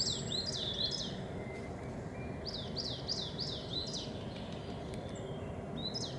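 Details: Coal tit in spring, with great tits and chaffinches behind it. Bursts of rapid, high, rhythmic repeated notes come at the start and again in the middle, with scattered thin calls and a steady low background hum.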